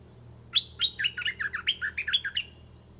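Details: Caged decoy red-whiskered bulbul singing continuously to bring a wild bird down to fight. A lively run of about ten rapid, bright whistled notes, each dropping and slurring, repeats in quick succession over faint hum.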